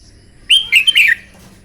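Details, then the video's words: Morning contest-style song of a red-whiskered bulbul: a single rapid phrase of clear whistled notes, rising then tumbling downward into a slurred ending, with a faint low hum behind it. "Chào mào hót kích lửa " luyện chào mào hót đấu buổi sáng" kích chim hót căng lửa"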